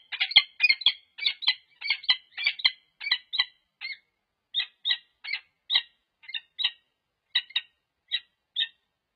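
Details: Peregrine falcon pair at a UC Berkeley nest site on 26 November 2023, pair-bonding while watching for interlopers: a long series of harsh, chittering notes, rapid and clustered at first, then slowing to evenly spaced single calls.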